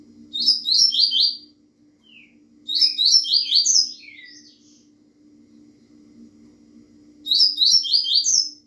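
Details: Double-collared seedeater (Bahia type) sings three quick bursts of high, bright, tumbling notes, each about a second long, over a steady low electrical hum.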